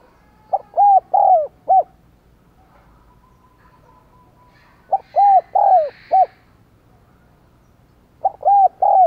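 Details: Decoy spotted dove with a 'đồng còi' voice, cooing and calling to stir wild doves into calling: three bursts of a four-note phrase, a short note then bowed, mellow coos, repeated about every four seconds.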